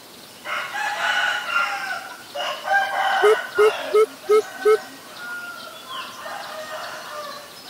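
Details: Greater coucal, a common resident bird, in Ubon Ratchathani, Thailand, on April 21, 2022, gives a run of five deep, hollow, evenly spaced booming notes after a rooster crows loudly nearby.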